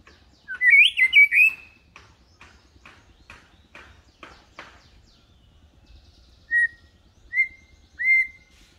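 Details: White-rumped shama song played to teach young birds to sing like adults, set low so it is not aggressive: a loud warbled burst with rising whistles, a run of faint scratchy notes, then three short clear whistles.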